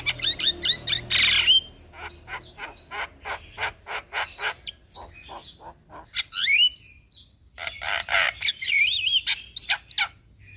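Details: Black-winged starling singing as a lure for reluctant captive birds: quick runs of dry clicks and chattering notes mixed with harsh wavering whistles and raspy bursts.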